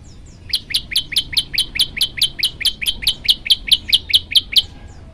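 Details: Olive-backed tailorbird (prenjak lumut) singing vigorously in gacor style for a masteran training recording: a steady series of sharp, upward-sweeping chirps, roughly two to three per second, bright and ringing throughout.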